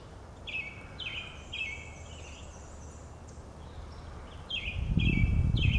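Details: Male and female Brown-headed Nuthatch give squeaky, rubber-duck-like notes, often doubled, several a second, while carrying food to their chicks at the nest; sunny, cool, slight breeze, Lafayette Co., Mississippi, 9 April 2020; low rumble swells near the end.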